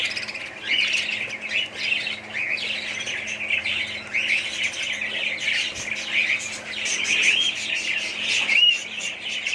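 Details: Colony of budgerigars chattering together, a steady mass of warbling, chirping and scratchy notes from many birds that swells and fades in waves.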